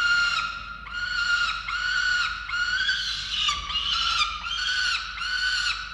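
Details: Falcons during chick feeding at a nest camera in Orange, Australia, 13 November 2022: loud, scratchy, whining calls repeated in quick succession, with a brief thump partway through.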